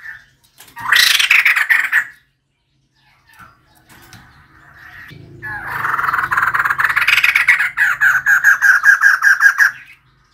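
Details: Decoy calling by a female White-crested laughingthrush: a short harsh burst, a pause, then a long chattering series of over four seconds. The series swells into evenly spaced cackling notes over a low background hum.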